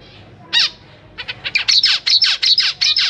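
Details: Zebra finch parents feeding chicks in a cage, with three juveniles and three newly hatched young, May 2023: one loud nasal call, then a rapid run of about a dozen sharp, downslurred, harmonic notes nearly three per second.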